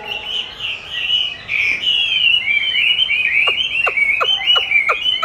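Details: Chinese hwamei being trained by hearing its own song; a flowing stream of bright whistled notes, high and warbling, ending in a few sharp descending clicks spaced about a third of a second apart.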